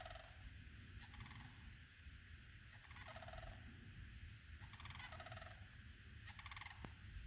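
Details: Two sandhill cranes calling close to a backyard; faint rolling, rattling trumpet calls recur about every two seconds over a steady low rumble of background noise.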